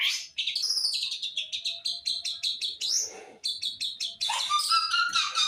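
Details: East Javan long-tailed shrike delivering a fast, high warbled song: a long string of evenly repeated sharp chirps, a rising whistle, more quick chips, and a final harsh, buzzy rattling flourish.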